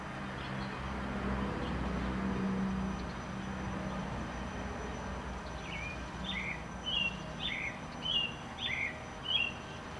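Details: On 28 April 2019 American Robins sing after a stretch of low rumbling background noise. About six short, clear, slurred phrases then come in quick succession, roughly one every half second, with brief gaps between them.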